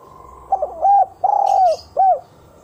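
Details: A spotted dove gives a lure call used to attract wild doves: three soft, low, hollow coos. The middle note is drawn out longer, and the second and third follow about half a second apart.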